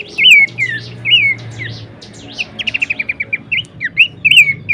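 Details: Horsfield's babbler song used to tutor other songbirds: bright looping whistles, then a fast run of about ten short clipped notes, then more swooping whistles; quiet low hum underneath.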